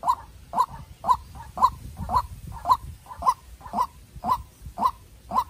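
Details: White-breasted waterhen calls during a fierce contest between a young decoy bird and a wild one: loud, regular nasal notes roughly every half second, each with a short softer note between, over faint low rumble.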